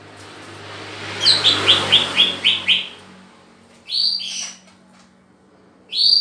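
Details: Green leafbird, cucak ijo, during pairing: a quick run of seven sharp downward whistles over background hiss, followed by two separate louder slurred whistle bursts.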